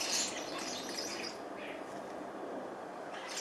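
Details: Starlings feeding in the morning, a flock giving a dense wash of scratchy chattering and high squeaky chirps that swells and fades, with a single louder burst near the start.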